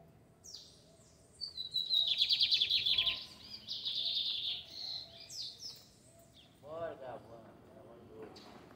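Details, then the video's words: Lined seedeater in a neighbourhood square in Fátima, singing a loud, buzzy, high-pitched trill in two bursts. Quieter chirps follow, and a person talks near the end. "Bigodinho cantando na praça do bairro de Fátima!"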